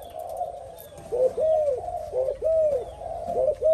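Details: Spotted dove, a newly caught bird that has just dared to coo with an old decoy bird; quiet murmuring first, then loud arched coos in doubled pairs about every second.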